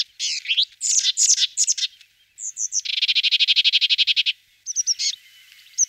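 Sombre tit giving harsh, buzzy chattering notes, then a fast run of about a dozen dry, rattling notes, and a few more high, scratchy calls.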